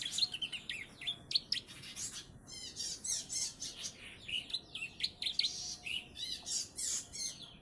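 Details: Young bar-winged prinia, three months old, tutored with ciblek song; rapid chattering bursts of high chirps and buzzy trills repeated in pulses, sharp notes scattered throughout.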